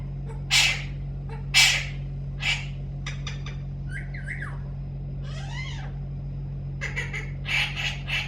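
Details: Talking parrot giving loud harsh squawks, then short whistled notes and a wavering, arched whistled phrase, ending in more squawks, over a steady low hum.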